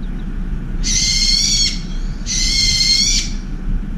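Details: Two long, rasping shrieks from an angry brown-eared bulbul at a window feeder, driving away a turtle dove; each screech lasts nearly a second, with steady low-frequency hum throughout.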